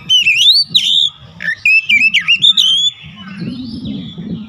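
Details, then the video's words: Kacer, the Oriental magpie-robin, singing loud 'gacor' lure song: bright rising and falling whistled phrases, wavering slurs and quick clipped notes in bursts, then quieter trailing whistles, with low background rumble growing toward the end. "PANCINGAN KACER LANGSUNG ANGKAT SUARA GACOR BONGKAR ISIAN"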